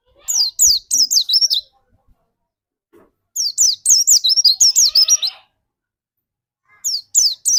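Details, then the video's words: Three bursts of rapid, high twittering chirps separated by short silences from a white-eye used as a lure to make another white-eye sing. The middle burst is the longest and densest. "burung pleci pancingan di jamin pleci anda cepat nembak"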